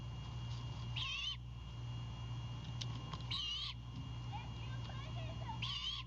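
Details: Owlet of a Great Horned Owl, on its nest near Savannah at night, guarding a bird delivered by its father; three rough, wavering screeches spaced about two seconds apart, faint soft calls between, and a steady low drone.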